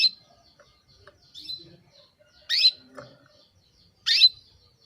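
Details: Female canary calling to a male, sharp high chirps spaced a second or more apart, two stronger sweeping notes standing out, with soft faint tweets in between over a quiet background.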